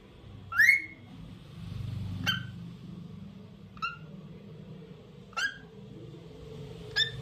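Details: Lutino cockatiel giving its daily tunes: a bright rising whistled chirp, then four shorter sharp chirps spaced about one and a half seconds apart over a low indoor hum.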